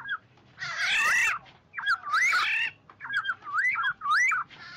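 An oriole gives rich, fluty whistled phrases around two kilohertz, wavering up and down in short bursts about once a second, mixed with harsher buzzy notes.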